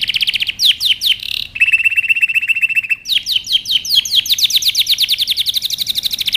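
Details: Canary song recorded to train young birds: a few looping whistles, a steady buzzy rattle, then an accelerating run of falling whistled notes that becomes a fast continuous trill.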